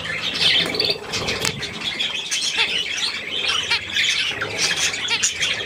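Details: Budgerigars with their young feeding on millet on 3 May 2024, a steady, shrill twittering chorus of many overlapping chirps with no pauses.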